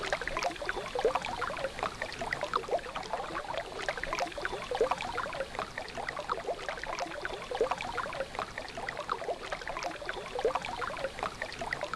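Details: Steady rushing and splashing of river water fills the whole stretch, with no animal voice standing out.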